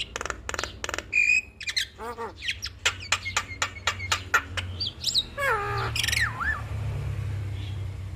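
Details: Javan myna in lively 'gacor full isian' song, a tutor recording for other mynas to copy: rapid run of sharp clicking chirps and squawks, then a sweeping whistled note, downward slurred whistles and a wavering squeal, with low steady hum beneath.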